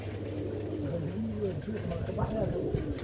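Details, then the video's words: Pigeon cooing in soft, low, rolling phrases that swell and fall, over a steady low hum and faint background murmur. "the sound of pigeon"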